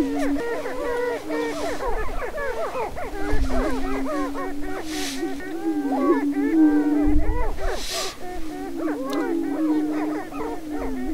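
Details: Greater prairie-chickens in their annual spring mating dance on a lek near Crookston, northwest Minnesota, April 27, 2013: rapid, crowded cackling and whooping from numerous birds over a continuous low moan, with brief hissy bursts.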